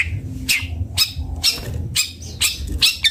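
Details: Harsh, scratchy bursts from a long-tailed shrike called cendet bondol, each a rough broadband note repeated about every half second over a low rumble.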